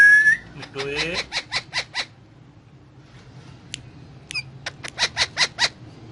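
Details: Pet Indian ringneck parakeet, talking while eating guava: a brief whistle, then a burst of harmonic chatter and a run of short sharp pulses repeated about five times a second, pausing, then resuming.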